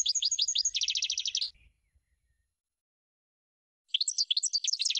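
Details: Goldfinch song played as a bird-training recording: a tinkling run of chirps that shifts into a rapid trill, then stops for two seconds before bright twittering starts again.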